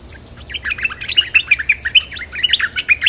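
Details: Bulbul calling to lure wild birds: a fast, continuous stream of bubbling, slurred whistles, repeated in quick rhythmic pulses, loud and bright throughout.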